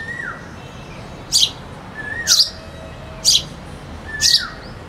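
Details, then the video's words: Sparrow chirping steadily about once a second, four sharp notes, with a cuckoo singing in the background as softer sliding whistles before each chirp. "sparrow bird sound (with cuckoo singing in the back)"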